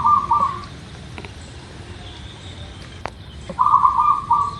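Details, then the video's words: Local zebra dove song meant as a lure to make birds sing quickly: a low bubbling cooing phrase at the start and another longer one near the end, separated by quiet hiss and a single sharp click. "Suara Perkutut Lokal | Pasti Gacor | Pancingan Agar Cepat Bunyi"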